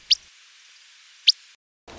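Willow Flycatcher giving two sharp, high 'whit' call notes about a second apart, against a faint steady hiss.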